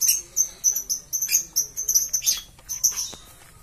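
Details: Green lovebird chattering in fast, high, thin chirps, repeated about every quarter second in an uneven stream, some notes sliding slightly, fading toward the end.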